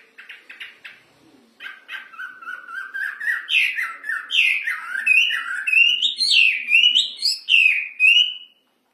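A wambi opens with a few quick chirps, then sings a loud run of slurred whistled notes, about two a second, climbing higher in pitch toward the end.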